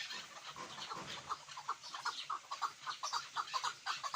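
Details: Chukar partridge giving a steady run of short clucking notes, about two a second, over a hissing background.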